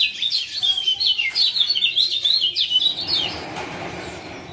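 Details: High, hurried ciak chirps of a male lemon-bellied white-eye from Lombok, played to coax a silent caged male to sing, pouring out for three seconds before giving way to soft hiss.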